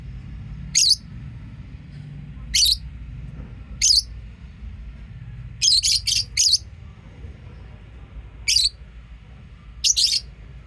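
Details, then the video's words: Pet lovebirds giving sharp, high chirps, single or in quick clusters of three, spaced every one to two seconds against a low steady hum. "Love birds chirping sound and singing sound"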